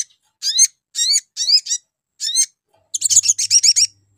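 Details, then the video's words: Spiderhunter lure call, known locally as sogon, used to get other birds calling back. Separate sharp, descending high chirps are spaced about half a second apart, then a fast ringing trill of clustered notes. "DIJAMIN LANGSUNG RESPON SOGON LAIN DENGAR SUARA PANCINGAN SOGON INI"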